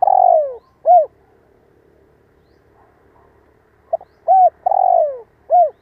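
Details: Decoy spotted dove calling to make listening birds coo. A long downward coo and a short note are followed after a pause by a full phrase: clipped notes, a rising coo, a drawn-out falling coo and a final short one.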